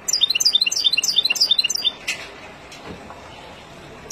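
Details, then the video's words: Singing wild European goldfinch, recorded for young birds to learn from; about two seconds of quick, repeated high twittering notes, followed by quieter clicks and background noise. "اروع تغريد طائر الحسون البري لتعليم فراخ"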